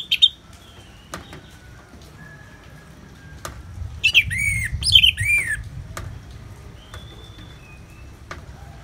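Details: Orange-headed thrush, ngeplong song over natural rain noise: a brief burst of loud, ringing arched notes in the middle, with faint thin whistles and scattered clicks around it.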